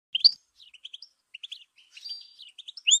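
A goldfinch sings a quick, tinkling run of high twittered notes with a brief buzzy trill in the middle and sharp rising notes at the end.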